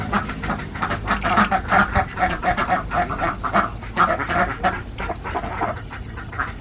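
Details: Farmed Alabio ducks from Borneo, kept in central Java, give a steady chorus of rapid nasal quacks, many birds calling at once in short bursts.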